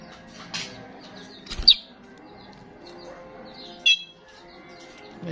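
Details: Vigorously calling starling used to draw in wild starlings: short, shrill, high notes in scattered bursts, two standing out strongly, with soft twittering between and a faint hum behind.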